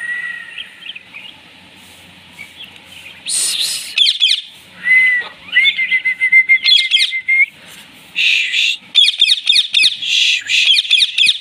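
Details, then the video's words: Indian ringneck parrot greeting a new baby ringneck: a thin drawn-out whistle, then loud bursts of rapid, sharp chattering squawks in quick series. "Talking Ringneck Parrot Greeting Baby Parrot"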